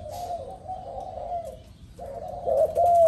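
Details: A spotted dove, described as a fierce new bird, gives soft low cooing phrases: a drawn-out coo lasting about a second and a half, a short pause, then a stronger, rising and falling coo.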